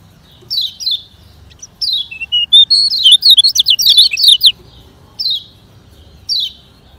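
Lemon-bellied white-eye giving high, fast, twittering phrases of sliding notes, with short downslurred bursts opening and closing a rapid jumbled run in the middle.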